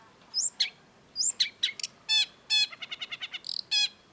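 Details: Long-tailed shrike, known locally as cendet, in an energetic tutor recording. Crisp high chirps and slurred notes give way to a rapid string of clipped, evenly repeated notes. The background is otherwise quiet.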